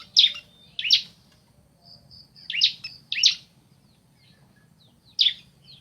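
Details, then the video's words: Male and female bar-winged prinias calling back and forth: loud, sharp, high chirps in pairs and singles separated by short pauses, with thin buzzy notes between them and a low steady hum beneath. "Suara Asli Ciblek Jantan Betina Bersahutan"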